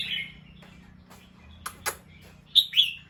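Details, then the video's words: Bulbul on alert after hearing a noise: a soft chirp at the outset, two sharp clicks, then two loud, bright, slurred chirps close together near the end over low hum. "The sound of a bulbul Listened and then definitely alert."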